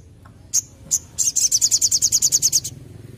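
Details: Olive-backed tailorbird, locally called sogon, gives two sharp high chips followed by a fast run of repeated high pulsed notes lasting about a second and a half; a low steady hum runs underneath.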